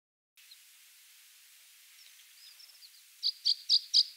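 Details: Water pipit (Anthus spinoletta), call.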